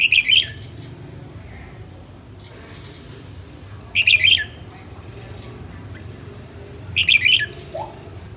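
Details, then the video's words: Female red-whiskered bulbul, a northern bird in training, singing short bright warbled phrases of four or five quick notes, repeated about every three seconds over a low background hum. "Chào mào hót | luyen giọng chao mào | Chào mào mái"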